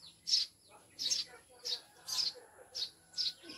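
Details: Pet maya, the Eurasian tree sparrow, newly caged and said to be from the mountain, utter six evenly spaced high chirps within under four seconds, each a brief bright note.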